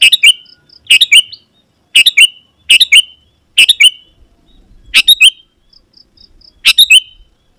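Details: Sooty-headed bulbul (kutilang) singing actively, a recording used to lure wild kutilang into answering and approaching: short chattering two- to three-note phrases, bright and slightly harsh, repeated roughly once a second with brief pauses, over quiet background.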